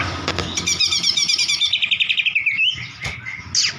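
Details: White-rumped shama singing, used to coax another bird into song: a fast stuttering series of high chips descending in pitch, ending in a twisting slur, then short whistles and a high sweep.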